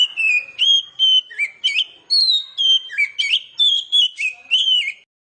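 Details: Oriental magpie-robin lure song for drawing out young birds, a five-second series of clean whistled notes, each slightly bent or warbled, delivered in quick even pulses with shifting pitch.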